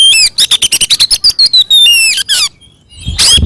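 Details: Fighting song from an Oriental magpie-robin, loud and provocative toward other birds: a fast series of short hooked whistles at steady pitch, then drawn-out falling whistles, a brief silence and a closing harsh burst.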